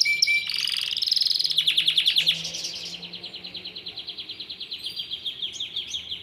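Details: Yellow Belgian canary singing steadily: a high, bright stream of rapid trills and rolled notes, loud at first, then fast even pulses repeating many times per second, softening toward the end.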